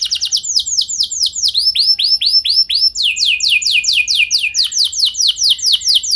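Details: Canary performing a lure song used to make other canaries sing, with loud, bright downward-sweeping whistles repeated in quick series, changing tempo between phrases, and a continuous rapid rolling delivery.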